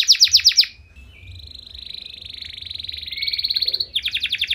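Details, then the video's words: Singing canary delivering showy phrasing meant to fire up rival canaries; brief burst of sharp chirps gives way to a soft, rolling sustained trill that swells in loudness before quick high notes return. "Kenari Gacor Nembak Panjang Cengkok Mewah! Bikin Emosi Kenari lain Naik Langsung Nyaut Ikut Gacor"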